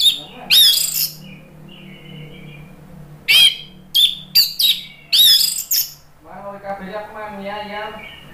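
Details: Orange-headed thrush used as a lure sound for birds that have stopped singing: short, harsh, squeaky bursts scattered through the recording over a steady low hum, with a buzzy, humming background near the end.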